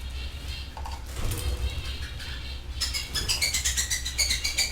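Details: Song from aviary canaries: after a muffled, noisy start, a rapid run of high, bright repeated notes begins, a fast trill with ringing tones continuing to the end over a low background hum.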